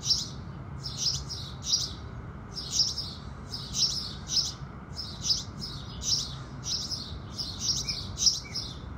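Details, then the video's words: With the sun rising, house sparrows keep up lively chirping, pairs and triplets of bright notes roughly every second, over a muted low background. "Sparrows Singing"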